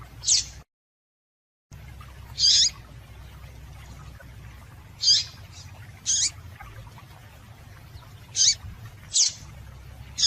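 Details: Female double-collared seedeater calling to stimulate males: short, high, sharp chirps in separate bursts, about seven in ten seconds, irregularly spaced, over a low steady hum with a brief silent gap near the start.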